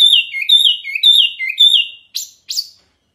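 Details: Masteran tutor recording of a Wambi Mini hwamei singing loud and clear: repeated paired slurred whistles alternating high and low, ending with two sharp high notes.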